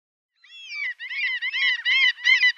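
A gull gives a rapid run of harsh, strident calls, about four a second, each nasal and slightly bending in pitch, with no other sounds.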